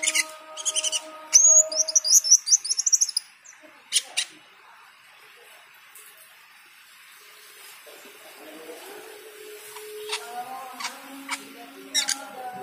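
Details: Cucak keling singing in full, lively voice while hearing the call to prayer: bursts of sharp, high chirps and short whistled trills early on, then sparse clicks, with a sustained chanted call to prayer beneath.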